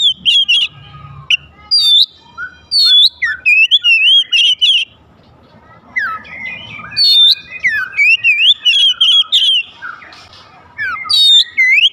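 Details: Song of an Oriental magpie-robin meant to trigger other magpie-robins to sing: rapid, varied whistles and warbling loops in dense strings, with a brief quieter gap midway before the phrases resume.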